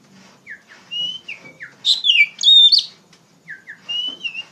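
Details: Oriental magpie-robin (kacer) singing loudly in the ngeplong style, used as a lure and tutor for untrained poci birds: downslurred whistles, then a rich burst of rapid varied high notes, then more repeated whistled slurs.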